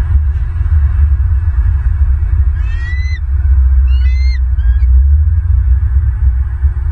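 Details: Bald eagles at a nest in Southwest Florida, on a nest camera on the morning of 12 November 2022: three short bursts of thin, high, rising chittering notes over a constant heavy low rumble of wind noise.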